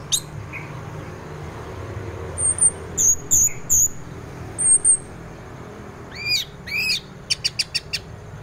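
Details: Teler-style song of an orange-headed thrush used in the morning to prompt other thrushes to sing. It has short high whistles in small groups, then two rising swooping notes and a quick run of four sharp ticks over a low background hum.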